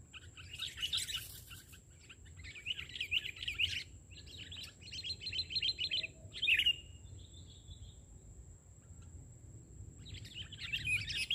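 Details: Sooty-headed bulbul singing lively on the ground rather than from a branch: bursts of chattering, bubbly phrases separated by short pauses, with a faint steady high whine in the background.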